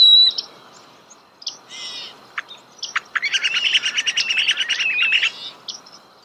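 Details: Starling singing nearby: scattered squeaks and clicks, then a fast rattling, chattering trill lasting about two seconds before the song trails off in soft notes.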